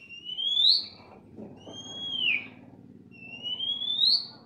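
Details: Kept starling in lively song: three drawn-out whistles, the first and last rising, the middle one falling, spaced about one and a half seconds apart.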